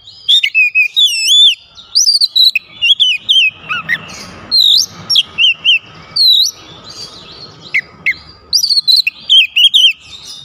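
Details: Oriental magpie-robins joining in with mimicked fill phrases: loud, squawky, wavering whistles and chirps in rapid irregular bursts, a steady faint tone running beneath.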